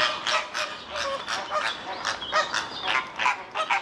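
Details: Flamingos at Lisbon Zoo, Portugal, around 3 pm at 30 °C, give a dense chorus of nasal, goose-like honks, overlapping and repeated several times a second with no pause.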